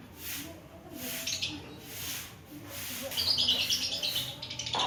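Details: Javan pied starling learning to sing: near quiet at first, then a fast run of high, scratchy twittering notes in the second half.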